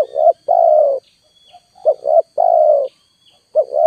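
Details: Spotted dove used as a lure, giving a long level coo after a quick double coo, the pattern recurring roughly twice; a steady faint high tone sits behind the bird.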